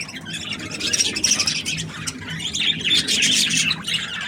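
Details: Happy budgerigar chirping: a dense, continuous run of high, scratchy chirps and squeaky warbled notes, several each second, varying in loudness, with a faint low hum underneath.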